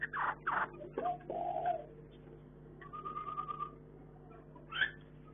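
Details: Caged Chinese hwamei in a breeding setup: two quick bright bursts, then a sliding whistle, a level sustained whistled note and a sharp final phrase, over constant low hum.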